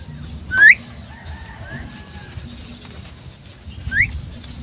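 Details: Female common myna calling: two brief, loud whistled notes sweeping sharply upward, about three seconds apart, with faint background murmur between them.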